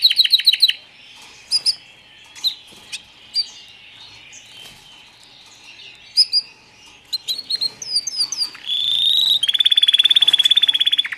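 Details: White foreign canary chicks, just arrived, start with a quick chirp series, give scattered high tweets, then close with a steady buzzy note and a rapid even trill.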